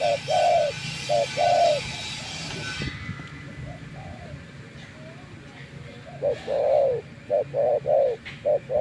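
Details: Spotted dove decoy kept outdoors for several days: mellow paired coos at the start, a pause filled by hiss and a low murmur, then the coos return faster toward the end.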